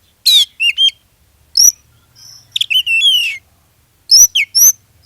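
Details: Oriental magpie-robin lure song to encourage other magpie-robins to sing; scattered harsh bursts, a drawn-out descending whistled slur and paired high notes, with a faint low hum.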